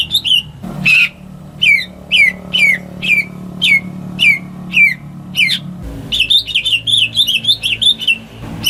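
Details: Home-kept greater green leafbird, used to coax silent birds into singing: repeated sharp downslurred chirps about once a second, followed by a rapid jumble of warbling and chattering phrases, with a low background hum.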